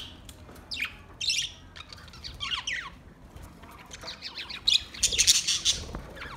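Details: Budgies chattering in relaxed song, with downward-sweeping squeaks, harsh squawks and a dense noisy burst of calls near the end.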